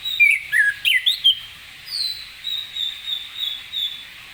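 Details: Orange-headed thrush in full morning song, ngeplong style, to coax other birds into answering: several sharp, twisting whistled notes, then a series of softer, drawn-out thin whistles repeated about every half second.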